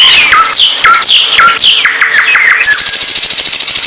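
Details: Bird singing vigorously, steep downward whistled sweeps repeated about twice a second, then a fast run of chirps breaking into a dense, buzzing high trill.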